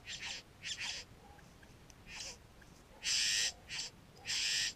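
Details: Satin bowerbird visiting gardens to take pet food, captured near a bower with a GoPro Hero 3: a few softer rasping bursts, then loud drawn-out hissing churrs toward the end.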